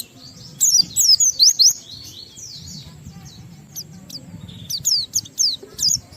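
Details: Oriental white-eye song intended to stimulate other white-eyes, with a run of high descending whistled slurs, a quieter pause of faint chirps, then another burst of rapid sharp notes.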